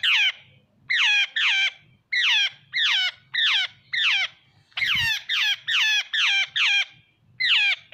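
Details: Harsh, nasal jungle babbler squawks, each note sliding downward, repeated in rapid irregular runs of two to five with brief gaps and a single dull knock partway through.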